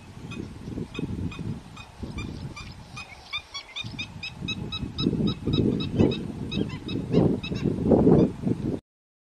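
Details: Garganey duck calling: rough, low pulsed bursts repeat unevenly through the recording and grow louder toward the end, while thin high chirps from other birds sprinkle the background.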